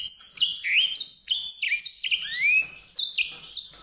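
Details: White-rumped seedeater delivering a fast, sweet song of high chirps and long rising whistled slurs, with a short gap before the final notes.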